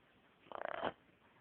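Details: A male pet macaw gives a short, rough cough, though the owner suspects it may be faked: a quick rattle of about eight pulses ending in a brief hoarse note. His owner talks softly nearby in a quiet room.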